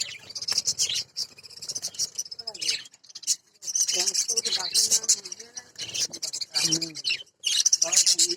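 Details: Many budgerigars at a budgie breeding farm chatter together in dense, high warbling and squeaky chirps that run almost without pause.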